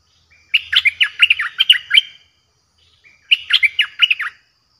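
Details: Fierce Streak-eared bulbul song used as a lure for combative wild birds: two tight phrases of rapid, bubbly, slurred chirps about a second long, separated by a pause, with a very faint low thud.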